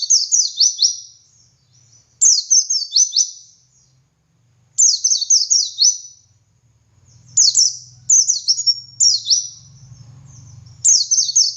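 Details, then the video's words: Ngalas-style song of a white-eye (pleci), used as master material so other white-eyes learn to sing: repeated high, rapid chirping phrases of slurred descending notes, with a faint low hum underneath in the second half. "Masteran Suara Burung Pleci Gacor Ngalas Nembak Buka Paruh"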